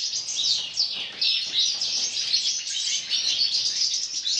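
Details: Several colour-mutation European goldfinches in an aviary flight sing together in a dense, unbroken tangle of high, tinkling twitters and liquid trills, overlapping without pause.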